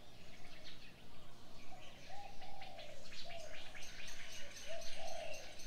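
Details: Birds in the morning: a lower, mellow whistle repeats in short drawn-out notes while high, rapid chirping runs above it, against a constant noisy background.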